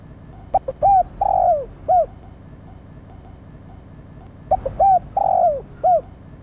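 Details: Female spotted dove cooing to stimulate a male, repeating the same phrase twice about four seconds apart: short notes, a long descending coo and a short rounded coo, over steady low background noise.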